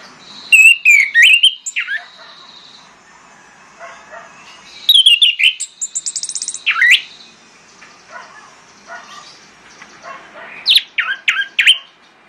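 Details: Orange-headed thrush lure song for coaxing silent birds into singing, delivered in three separated bursts of sweet whistles, rapid trills and down-slurred notes, with faint softer chatter between phrases.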